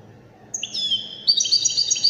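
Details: Goldfinch of the Widani kind producing bright, layered high tones that shift upward, then a rapid run of quavering twitters, above a low background hum.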